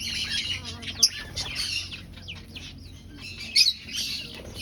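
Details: Breeding finch colony in an aviary, nest-hunting; rapid high twittering calls with two sharp louder chips, one early and one late, amid softer overlapping chatter.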